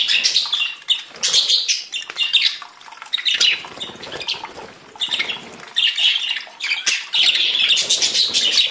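Budgerigars chatter in a continuous, scratchy warble of high squeaks and rasps, broken by brief pauses.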